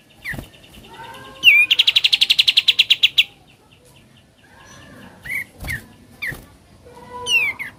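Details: Ngebren song of a sooty-headed bulbul: a quick, dense trill of high chirps lasting about two seconds, set among scattered sharp downslurred calls and softer background chirping.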